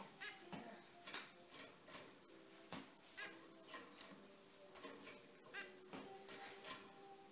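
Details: Zebra finches, lively pet birds kept indoors, giving short nasal beeping calls in a quick irregular series, roughly two or three per second, with a quiet room in the background.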